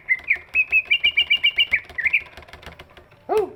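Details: Greater green leafbird with a large body, its voice used to encourage silent birds to sing; a run of about eight evenly spaced clear whistled notes, a short twitter, a pause, then one lower harsh burst.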